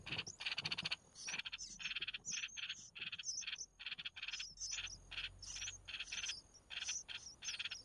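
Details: Red-whiskered bulbul chicks being fed by their mother, in a run of rapid raspy hissing bursts, several each second, mixed with thin high chirps. The background is quiet.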